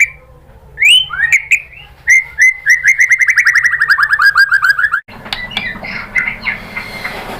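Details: White-rumped shama (murai batu) song used as a lure to provoke singing: a few rising whistles, then a rapid run of short repeated notes falling slightly in pitch, followed by a noisier, busier passage with other chattering.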